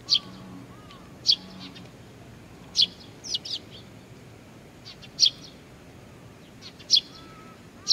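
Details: Chicks awaiting parent birds at Tenmangu shrine in Nakanoshima, 25 June 2020, give shrill high chirps every one to two seconds; a few short clusters of quick notes and faint low-pitched slurred calls sit in the background.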